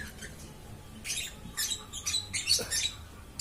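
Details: Lovebird chirping without pause: after a quiet second, a series of harsh, buzzy chirps and squawks in uneven bursts, with faint low room noise underneath.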